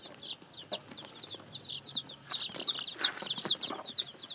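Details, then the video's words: Newly hatched chicks peep loudly in quick, shrill, falling notes, several birds overlapping at roughly three calls per second. "Âm thanh gà con mới nở kêu, gà kêu, gà gáy"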